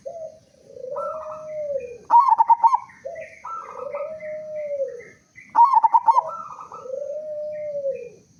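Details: Local zebra dove with a big, full voice, played to prompt other doves to sing: low, soft rolling coos alternating with a brighter stuttered trill, the phrase repeating about every three seconds.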